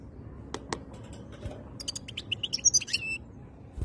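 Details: Khaloui European goldfinch recorded in 2022: two sharp clicks, a pause, then a quickening sequence of high tinkling twitters and slurred whistles ending in a short chattering flourish, over a low hum.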